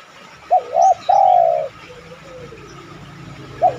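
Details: Lure recording of a spotted dove cooing to draw replies from other doves: one phrase of two quick hooked notes and a long level-then-falling coo, a fainter echoing coo after, and the next phrase beginning.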